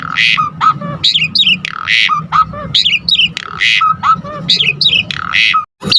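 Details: Asian pied starling in full song, played to provoke other starlings: harsh noisy bursts alternating with wavering whistled phrases and low slurred notes, repeated roughly every two seconds.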